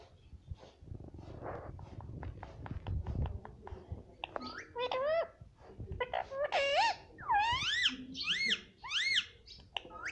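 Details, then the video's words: Talking pet parrot indoors; soft clicks and mutters give way to a run of loud, swooping, strongly harmonic notes repeated about once a second toward the end. "Parrot speaking Mittu Mittu"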